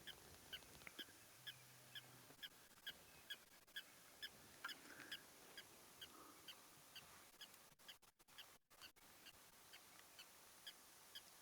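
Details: A Blacksmith Lapwing at a waterhole in the African bush on a July morning gives loud objecting alarm calls, sharp metallic 'tink' notes about twice a second, as a lion pride comes to drink, with a faint low hum and soft rustling.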